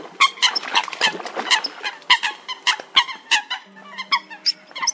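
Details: Lure recording of Eurasian coot for night-time net trapping of migrating birds in August: loud, honking, nasal calls fired in rapid, uneven series, with brief higher clicks between them.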